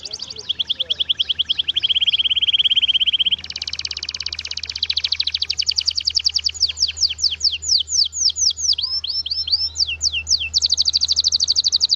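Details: Canary singing with a rich, varied song: high buzzy trills, a steady whistled note, then fast rolling trills and repeated sweeping down-slurred notes, all high-pitched and continuous, with a low steady hum beneath.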